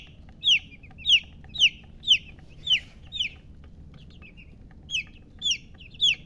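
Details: Baby chicken chicks chirping: high, sharp, downward-sliding peeps repeated about twice a second, with a short break midway, over a low steady background hum.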